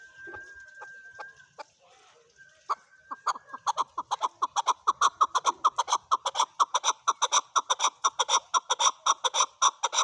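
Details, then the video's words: A male chukar calling opens with a few thin whistles, then breaks into harsh, clucking chucks that speed up into a steady run of about two per second. "Male chukar calling"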